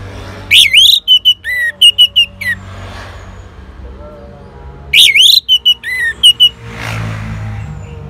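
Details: Orange-headed thrush, Singaraja, North Bali, reacting to a lure sound: two bursts of a rising slurred whistle followed by quick clipped whistles and scratchy notes, with quiet pauses between.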